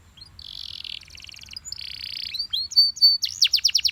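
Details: Yellow Belgian canary song opening with soft buzzy rolling trills that swell in volume, then a pure whistled note and a burst of sharp repeated chips at the end.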